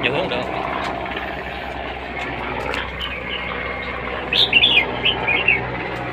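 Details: Red-whiskered bulbul in competition singing: after several seconds of steady background hum, a short burst of bright, quick whistled notes with rising and falling slurs arrives near the end.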